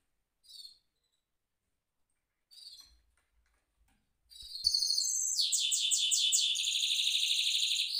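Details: Caged mule goldfinch in rolling song: two short high chirps, a pause, then from about four seconds a loud, continuous stream of rapid trilled and buzzy high notes with fast repeated phrases.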